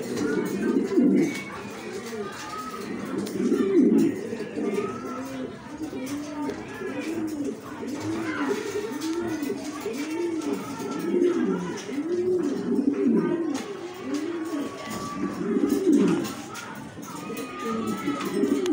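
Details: Yellow show King domestic pigeons give low, rolling coos in quick repeated bursts, with faint voices behind.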